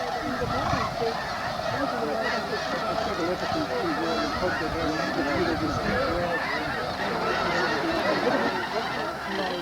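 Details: Snow Geese, thousands wheeling in the sky at their New Mexico desert winter quarters in November 2014; a dense, unbroken chorus of overlapping nasal honks and squawks from a large flock, with a man's narrating voice over it.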